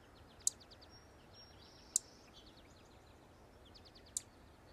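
A Savannah sparrow gives three very high, thin, sharp chip notes at uneven intervals, over faint high twittering and a steady outdoor hiss.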